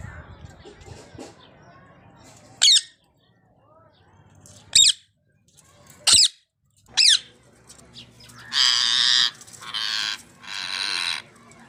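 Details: Rose-ringed parakeets: sharp, shrill screeches spaced a second or two apart, followed by longer harsh rasping squawks, over a faint outdoor background.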